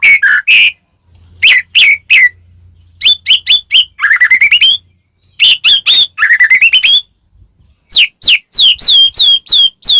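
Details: Lure recording of a Medan-type white-rumped shama singing energetically to stir other shamas into song: sharp chirps, rising whistled sweeps and clusters of rapid high notes, with brief silent gaps between phrases.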